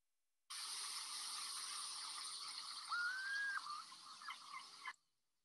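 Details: A Piping Plover gives its springtime mating call on the Jersey Shore: one clear, soft whistle that rises slightly and holds, then a brief second note, quiet over a steady background hiss.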